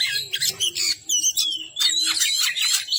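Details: Oriental magpie-robin (kacer) singing energetically in a long tutor recording: dense, jumbled run of high chirps, rasps and quick upslurred whistles, with a faint low hum underneath.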